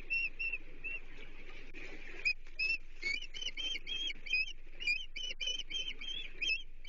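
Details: Osprey at a Chesapeake nest on 30 June 2023, with a menhaden delivered as the day's third fish for the chicks. Sharp, high, whistled chirps come in quick uneven runs, growing denser in the second half, over background hiss.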